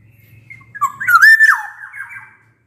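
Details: One rich, fluty whistled phrase from a black-naped oriole in full song, rising into a sustained note and dropping away. Used to stir silent orioles to sing. A low hum sits beneath.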